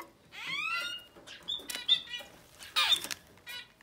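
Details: Society finch babies, no more than ten days old, open with a long, rising, buzzy harmonic call, followed by short squeaky chips and a harsh rasping burst.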